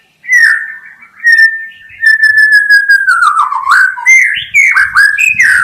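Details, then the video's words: Song of a white-rumped shama: long, pure whistles that slide slowly downward, followed by quicker, varied phrases with sharp upswept notes and some high chatter. "SUARA KHAS BURUNG MURAI BATU_KICAU ISTIMEWA"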